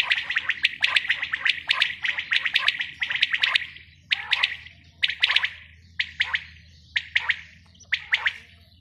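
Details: Female quail calling steadily with rasping, clustered notes. The bursts are dense at first, then spaced roughly a second apart, over a faint low hum.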